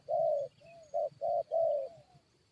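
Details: Spotted dove drawn into a fight with wild birds by luring: a loud raspy coo, a soft falling coo, then two more strong coos and a long trailing one, with low background rumble.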